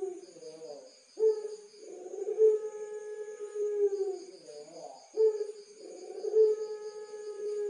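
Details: Barbary dove of the pelung cooing style, caged in Tulungagung, Indonesia. Deep, loud coos come in repeated phrases, each opening abruptly and stretching into a long, sustained, mellow tone, with brief fluttering notes between them.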